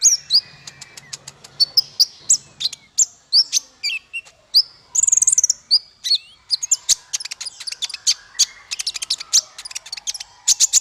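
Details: Songbird training recording meant to tutor small fighter birds: a dense, continuous stream of high, sharp chirps, buzzy trills and rapid chattering runs, with brief slurred whistles throughout.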